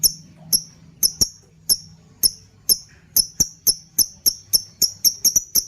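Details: Lovebird calling as a training lure for other birds, the ngekekekeke sound: a long string of shrill, piercing high chirps, starting spaced, then quickening into rapid pairs and runs, with faint low hum beneath.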